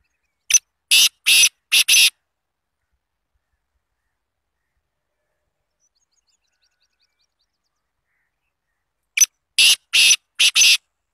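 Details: Black francolin, Azad Kashmir, Pakistan: a loud, harsh phrase of four or five grating notes, given twice about eight seconds apart with silence between.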